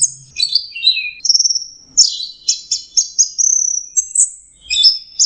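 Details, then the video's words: Orange-headed thrush, known locally as anis merah and valued as a costly songbird with a melodious voice: a quick, varied run of high whistled slurs, sharp chips and buzzy trills, delivered almost without pause. "Burung anis merah jenis burung kicau mahal dan suaranya merdu"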